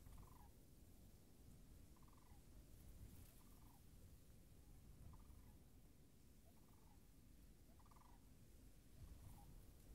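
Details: Faraway sandhill cranes at a still-frozen wetland, 26 March 2019. About seven quiet, burry rolling calls spread evenly over ten seconds, heard through constant low rumble.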